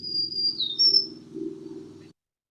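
Black-throated Green Warbler song: high, buzzy notes that dip and then rise again. A steady low hum runs underneath.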